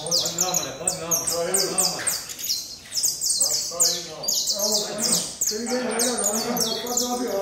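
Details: Saffron finch pouring out rapid, high, ringing chirps in a near-continuous stream, while lower voices talk in the background throughout.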